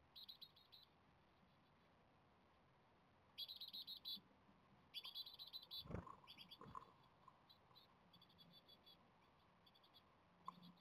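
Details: Japanese tit nestlings on day 17 of rearing, near fledging, beg for food in bursts of high, rapid, buzzy chittering about a second each, with quieter chirps and a few dull knocks between; weather turning worse.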